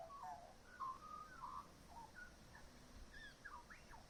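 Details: Magpie in a back yard mimicking the sounds of other local birds, a quiet run of soft warbled whistles and short gliding notes with small pauses between them.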